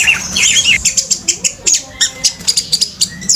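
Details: Orange-headed thrush at full-speed song, tail opened and body crouched: a short jumble of high whistles, then a steady series of sharp, clipped high notes about four per second.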